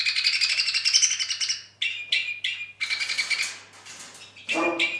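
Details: A Two-barred crossbill singing in rough weather: a drawn-out buzzy rattle, then clipped harsh chirps in quick succession, ending with a lower, rougher note.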